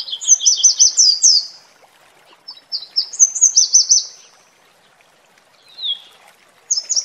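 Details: Red warbler singing near a waterfall: quick, high, looping trills of repeated notes in two phrases of about one and a half seconds each, then a short falling note and a new phrase starting, with faint water behind.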